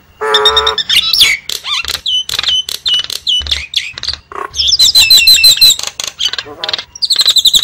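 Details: Javan myna lure call opens with a buzzy nasal squawk, then quick clicks, whistles and looping trilled phrases in a fast, uneven stream.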